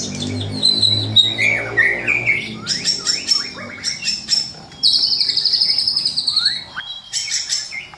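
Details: White-rumped shama giving full, energetic song with varied fill notes, played for morning bird training; high whistles, fast buzzy trills, chattering bursts and a long shimmering high trill near the middle.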